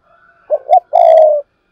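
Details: Vietnamese spotted dove cooing in the urging and calling styles, including the double-ending coo called hai hậu: a single phrase of two short hoarse notes followed by a longer steady low coo, with a faint thin tone behind.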